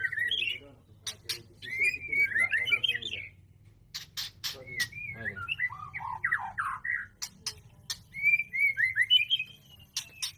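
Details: Mating white-rumped shama singing warbled whistle phrases separated by sharp clicks or snaps, several phrases over ten seconds, with low rumbling noise in the background.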